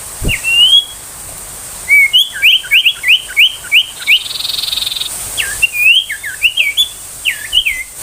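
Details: Ashy tailorbird 'tembakan' song, used as a tutor for magpie-robins and young wild tailorbirds: a rising whistle, then a steady series of sharp hooked chips, a buzzy pulsing interlude, and another run of chips.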